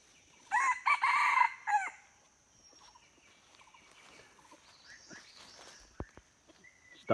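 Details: Red junglefowl crow, a recording dated 16 February 2024 and used to lure wild junglefowl: one loud, harmonic, strained crow lasting about one and a half seconds in broken segments, then faint chirps, scattered clicks and a sharp knock.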